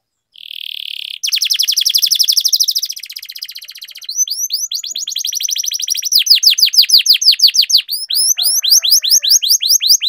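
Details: Canary singing in the rolling 'ngerol' style, used as a lure to get lazy canaries singing: a long, fast buzzy trill opens, then rapid high trills and repeated downward-swept whistled notes build in loudness.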